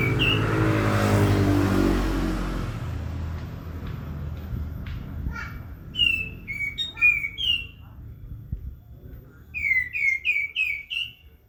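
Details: Prinia singing vigorously: after a burst of loud low rumbling, a series of clear whistled notes that slur downward, given singly and then in a quick run of five near the end.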